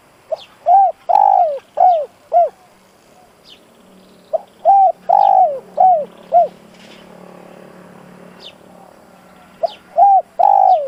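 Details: Three cooing phrases from a decoy spotted dove used to provoke wild doves, each a series of rounded coos with one long note, with a low hum and faint background noise between phrases.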